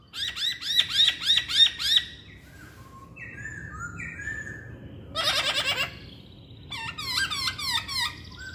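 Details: A Chinese hwamei repeats a sharp, rising whistled note about five times quickly, goes quiet with soft distant notes, then gives a dense buzzy burst and a stuttering series of rising whistles.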